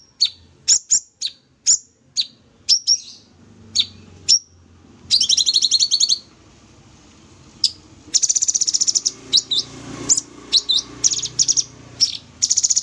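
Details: Singing sooty-headed bulbul in full energetic voice as tutor material: series of sharp high chirps, a long rapid rattling trill, then more chirps and buzzy rattles, with faint hum behind.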